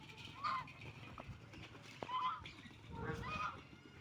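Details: Ducks feeding and drinking utter three drawn-out nasal calls about a second apart, each rough and harmonic, over low background rumble and a sharp tap.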